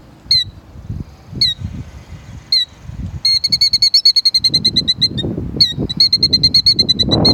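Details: Female plover, angry while defending her nest, gives sharp, high piping notes, first singly about a second apart, then in fast runs, over low wind rumble.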